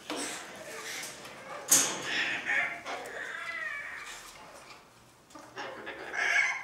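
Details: Cockatoos in family life, giving harsh, raspy broadband calls: a sudden loud screech early on, then scratchy chattering notes with faint harmonic bands, fading before a final rising burst of noisy calls.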